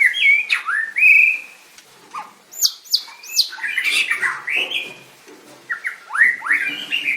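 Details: White-rumped shama in a singing contest dated 7/25/16: loud whistled slurs and upsweeps, high sharp notes, varied phrases separated by short silences, delivered with energy while dancing.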